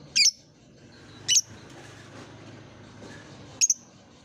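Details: Lovebird therapy song, played as a lure to prompt young lovebirds learning to sing: three sharp, very high squeaky chirps about a second apart, with quiet background hiss between them.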